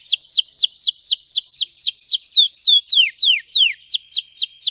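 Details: Red Belgian canary singing intensely for training, repeating bright downward-sweeping whistled notes roughly four per second in a steady, rolling tour with slight changes in pitch partway through.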